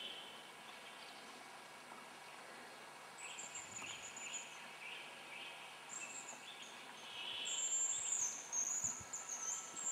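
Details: Hazel grouse on a lek in spring, Yenisei Ridge, Russia: high thin whistles drift in from mid-clip and grow louder near the end, above steady forest noise and other soft bird calls.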